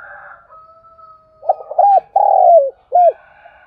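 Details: Lure spotted dove calling to attract wild doves: after a faint steady whistle-like tone, a phrase of short stuttering coos, a long drawn-out falling coo and a clipped final note, loud and clear.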